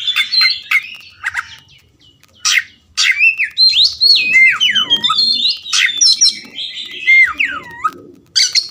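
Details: Oriental magpie-robin song played as therapy to get a bird that is reluctant to sing to start singing: loud, varied whistled phrases with rising and falling sweeps, sharp chips and buzzy notes in quick bursts, with short pauses.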